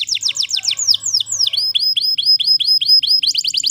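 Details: Canary singing in the wild: rapid tours of repeated high, down-slurred notes, several per second, shifting into long-falling sweeps and then a steady run of short, upswept chips, with a faint low hum underneath.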